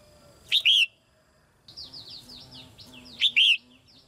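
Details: Red-whiskered bulbul female, kept in a cage, singing to stimulate recently matured birds: two loud slurred whistled phrases, and between them a run of fainter, quick descending chirps.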